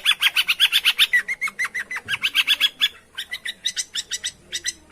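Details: Long-tailed shrike song played to prompt a silent bird to answer: a rapid, almost continuous chattering of harsh, ringing notes, about four per second, with a brief pause midway before the chatter resumes.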